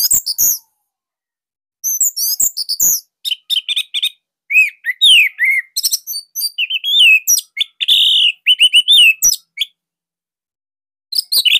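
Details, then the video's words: Orange-headed thrush, Bali type, singing a loud tight song used to stimulate other thrushes; long stretch of rapid, varied high whistles, slurred notes and chatter with brief pauses. "Kicauan Joss ANIS MERAH Pancingan Masternya Para JUARA"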